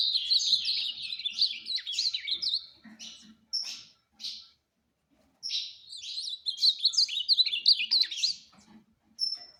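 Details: Fast 'fibra' competition song of an ultramarine grosbeak: a rapid warbled phrase of sliding whistles, a few separate chirps, then a second long warble closing on a clear high whistled note.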